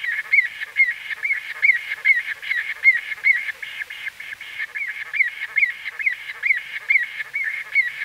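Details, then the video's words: White-fronted bee-eater close-up calls: a long, busy series of quick rising-falling notes, a little more than two per second, fairly even in strength throughout. "White-Fronted Bee-Eater. NB: Exact Date Of Recording Not Known. CU Calls From A"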